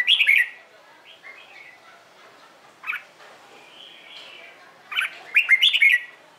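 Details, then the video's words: Red-whiskered bulbul in morning training song for contests, meant to stir fresh wild-caught birds to answer: an opening rich whistled burst, a long gap with soft notes, then a lively run of quick liquid phrases. "LUYỆN CHÀO MÀO HÓT ĐẤU/ HƠN 12 P CHÀO MÀO HÓT BUỔI SÁNG KÍCH BỔI RA GIỌNG HÓT THEO THUẦN CHIM NHANH"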